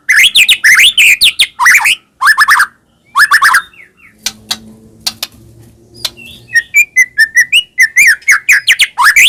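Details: White-rumped shama song as a lure for caged birds: loud rapid whistled phrases, a pause with low humming background, then a renewed fast run of slurred and rising notes.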